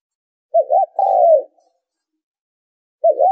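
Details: Spotted dove lure call used for trapping: one full phrase of a wavering double opening note and a long coo sinking in pitch, then a pause before the next phrase begins.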